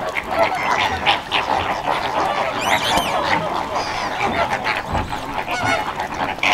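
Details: Flamingos at Slimbridge Wildfowl and Wetlands Trust, a dense flock giving overlapping nasal, goose-like honks and gabbling calls without pause, with a few higher yelping notes rising above the din.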